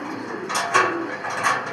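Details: Domestic pigeons at a small pigeon farm in Savar, Dhaka, give soft, low, throaty coos in a small indoor space.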